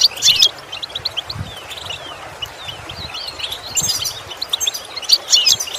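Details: European goldfinch song for training a goldfinch to improve its singing: scattered high twittered notes and short slurred chirps, denser bursts at the start and end, with soft low rumbling underneath.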